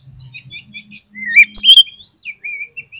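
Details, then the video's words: Oriental magpie-robin song aimed at stimulating quiet birds to sing: soft, repeated short whistles build to a loud cluster of rising and falling notes, then gentle whistled phrases resume, with a faint low hum beneath. "PANCINGAN KACER PALING AMPUH UNTUK RANGSANGAN KACER YANG MALAS BUNYI AGAR CEPAT NYAUT"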